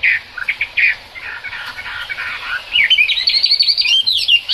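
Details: Chinese hwamei in the rain, giving a jumbled, rich song: short chirps and buzzy phrases first, then a quick stream of high, twisting whistles and trills.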